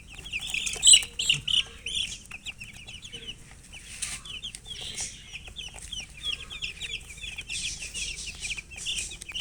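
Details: Several chicken chicks chirp constantly, their thin, high, falling peeps overlapping in dense runs, loudest near the start, over light rustling and tapping.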